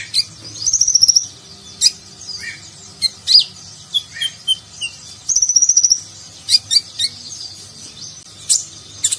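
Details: Sunbird (konin) training recording in nagen style for contest birds: high thin twittering with short buzzy trills and sharp chips in irregular bursts, faint background hum.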